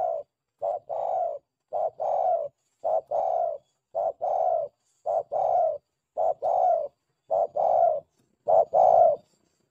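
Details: Spotted dove, known locally as tekukur or derkuku, used as a lure call for trapping and training doves: steady series of loud, hollow coos in short double-note bursts, repeating nearly once a second over a quiet background.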